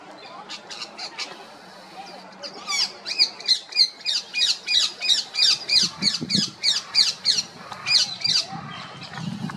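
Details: Female rose-ringed parakeet calling in a rapid, insistent series of harsh, shrill squawks, about two to three per second, building after a few scattered opening notes, with some low rumbling noise underneath.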